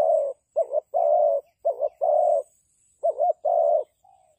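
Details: Spotted dove used as a decoy for trapping, giving low hollow coos: short wavering double-pulsed notes alternating with longer steady drawn notes, about seven in four seconds with brief pauses, ending in a faint falling note; a thin high whine runs faintly above.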